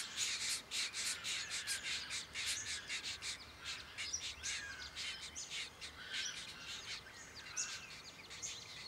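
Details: Diamond firetail in Victoria, Australia, November 2014, giving rapid high chirping notes in uneven bursts, busiest in the first four seconds and then thinning out, with faint background noise.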